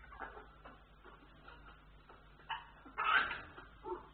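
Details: African grey parrot during breeding behaviour: a series of soft, short, whimpering calls spaced irregularly, then a louder, harsher rasping burst, followed by another brief call, over a steady low hum.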